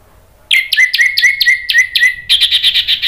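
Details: Orange-headed thrush lure song: a string of short whistled notes, each with a downward slur, repeated about every quarter second. It shifts into a harsher, buzzy rapid series near the end. The recording is intended to make other thrushes answer.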